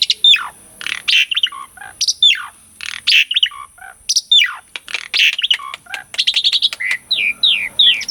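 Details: Asian pied starling singing vigorously, used to spark singing in silent birds: sharp falling whistles alternate with harsh scratchy bursts about every second, ending in a row of quick descending slurred notes.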